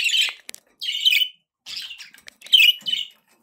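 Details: Pet budgies give loud, scratchy chirping phrases, each lasting under half a second, with short pauses and a few sharp clicks between them.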